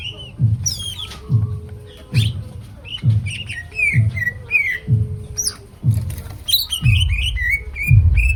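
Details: Greater green leafbird in lively, varied song, with rapid whistled phrases, quick downslurs and twittering runs packed closely together, accompanied by a low rhythmic beat repeating about once a second.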